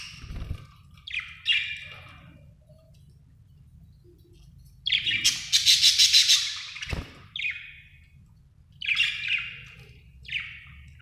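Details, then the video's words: Happy pet budgerigar chirping: bursts of harsh, buzzy chirps and squawky notes in clusters, with a rapid rattling run in the middle and short pauses between bouts. "happy budgie chirping sound"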